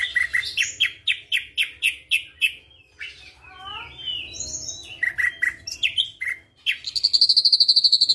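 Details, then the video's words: White-eyed Ashy Drongo, a caged, active singer, delivering flycatcher imitations: a run of about ten rapid clipped notes, a tumble of falling whistles, more chirps, then a fast high buzzy trill to close. "Srigunting Abu rasa Sikatan Londo"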